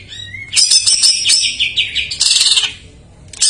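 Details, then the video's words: Greater green leafbird singing a jamtrok-filled isian song, played to stir silent birds. Dense, high, rapid chattering phrases start after a quiet half second, then a second loud burst of trills and warbles. "JAMTROK MANIA : cucak ijo isian"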